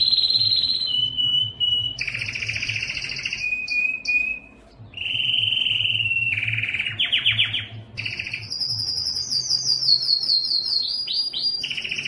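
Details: Belgian canary giving its loudest breeding song to attract females: fast rolling trills and buzzy tours at changing pitch, alternating with clear whistled stretches and high sweeping notes, over a faint low hum.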